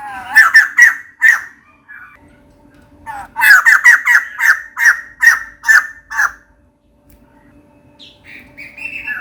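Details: White-crested laughingthrush, a female calling to attract a mate, gives loud grating chatter in two bursts of harsh squawking notes separated by a quiet gap, ending with faint higher notes.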